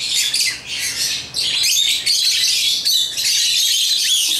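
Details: Shrill, continuous chatter of African lovebirds at play with toys: rapid high chirps and squawks overlap with almost no gaps after a short dip early on.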